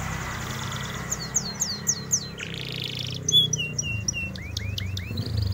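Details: Canary singing vigorously as tutoring material for white-eyes: downward-sweeping whistled notes in quick succession, a harsh buzzy burst, then more sharp chirps over a steady low hum.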